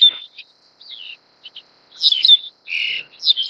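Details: Black-collared Starling (Gracupica nigricollis) feeding a chick gives a quick run of whistled chirps and harsh, buzzy bursts, short notes broken by brief pauses.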